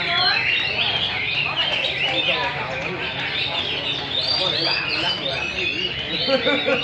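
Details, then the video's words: Hwamei, Garrulax canorus, caged adult wild-caught birds in a Vietnamese singing contest, pouring out dense, loud warbled and whistled phrases without pause, overlapping songs from other birds and nearby talk. "Chim họa mi múa hót đấu giàn"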